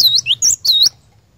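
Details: Three high, clear swooping whistles from a cinereous tit, each a quick dipping note, forming one short phrase of a lure recording meant to start a caged bird singing; faint low hum underneath.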